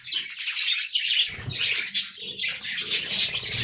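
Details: Budgerigars in a colony aviary keep up a continuous high warble of buzzy chirps and rapid twittering, with low thumps and cage noise from about a second in.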